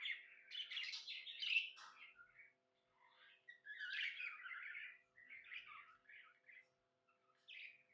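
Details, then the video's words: Budgerigar chirping in a happy mood: harsh squawky chatter and short scratchy warbles in separate bursts, with quiet gaps between phrases. "Happy budgie chirping sounds"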